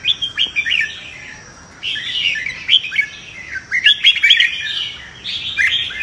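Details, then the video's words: Competitive fighting song of a red-whiskered bulbul, used for training: three bursts of rich, rapid whistled warbling, each about a second long, separated by brief quieter gaps, with a steady high faint tone behind. "Chào Mào Hót Đấu - Luyện Chào Mào Đấu Lên Lửa - Kích Bổi Sổ Bọng Hót Đấu,suara burung merbah jambul"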